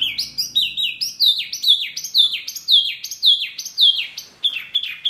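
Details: A Wambi bird's noisy call, said to rile other birds: a long, steady run of loud, downslurred whistles, each dropping sharply in pitch, repeated almost twice per second.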